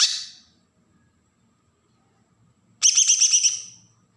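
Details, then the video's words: Kalimantan green leafbird from Berau giving agitated besetan song meant to provoke untrained birds: a fading note, then after a two-second hush a short, loud, fast chatter of shrill pulsed notes. "cucak ijo Kalimantan suara besetan pancingan burung bakalan"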